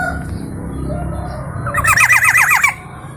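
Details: Black-naped oriole, a local East Java bird with many song variations: a quick burst of about seven down-slurred, slightly nasal notes in under a second, after a quiet stretch of low background hum.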